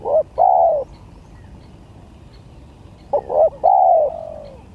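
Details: Spotted dove in a song contest giving two phrases about three seconds apart, each a quick stutter of short coos then a long, soft, falling coo that trails away.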